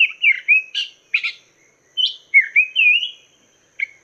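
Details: Varied song of a Chinese hwamei, played as a master song for cage birds: slurred whistles, harsh burry chips, then a rising whistled phrase, ending after a pause with one short note.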